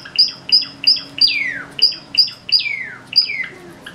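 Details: Pet Java sparrow singing in the morning: rapid series of clicking, bell-like high notes in pairs, broken by long downward-sliding whistled slurs, the phrase repeating several times within a few seconds.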